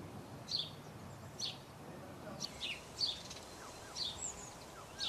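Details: Common starling in a garden in Hengelo, Netherlands: short high whistled and squeaky notes spaced about a second apart, some slurred downward, over quiet background noise.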